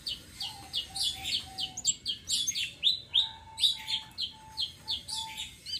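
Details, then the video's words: Flowerpecker, tledekan sitrun selendang biru, in continuous 'ngeroll' song used as lure for other birds; evenly repeated high slurred chips, roughly three per second, over a faint lower steady piping tone. "BURUNG TLEDEKAN SITRUN SELENDANG BIRU NGEROLL||BISA BUAT PANCINGAN"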